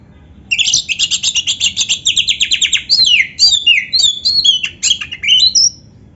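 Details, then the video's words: Oriental magpie-robin (kacer), a full song with canary-song filling. A rapid, rattling string of about twenty high chirps, then twisting whistled slurs and trills, ending on a thin rising whistle, steady and clear over faint hum. "suara Kacer gacor isian komplit | Masteran Kacer ISIAN Burung Kenari"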